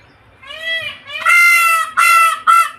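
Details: Peacock from a bird garden: four loud, nasal, wailing calls, the first softer and drawn out, the middle one longest, the last two short and abrupt, with a quiet background.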